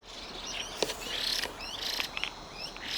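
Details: Two Chinese hwamei calling in the evening, mixing harsh grating notes with shrill piping ones; slurred whistled notes rise and fall with short sharp bursts between them over a quiet outdoor background.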